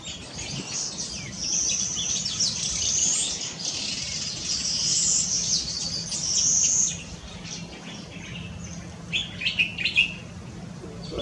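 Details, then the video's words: Yellow-fronted canary singing at Tanji Bird Reserve Eco-camp, Gambia, on 12/4/2018: high, rapid warbling phrases with sweet whistled trills, continuing almost unbroken, then a pause before a few sharper bright notes near the end. "Yellow-fronted Canary"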